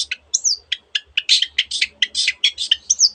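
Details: Long-tailed shrike, known locally as cendet, singing a varied imitative song: buzzy rasping bursts alternating with thin downslurred whistles, about one note every half second, bright and high, no other sounds.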